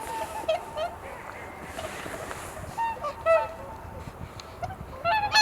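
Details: Swans calling at Kotoku Pond, Japan, at dawn during the blue hour while still dark; a few short nasal honks with bright harmonics, spaced a couple of seconds apart, over steady wind noise recorded on a camera's built-in microphone.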